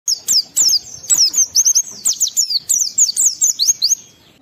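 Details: Oriental white-eye, a lively singing bird used to stimulate emotion and breeding urge in other white-eyes; rapid bursts of very high, thin, sharply down-slurred chirps and whistles in quick succession, almost continuous.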